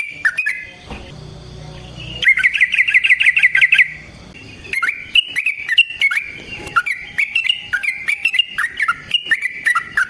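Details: Yellow-vented bulbul fighting song used as a lure: a few chirps, a low hum, then a rapid rattling trill of bright notes, followed by a long run of quick, varied, slurred chirping phrases.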